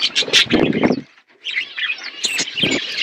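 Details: Budgerigars in a flock feeding on winter food: a few sharp chirps and squawks, then a brief pause, then more scattered high twittering notes.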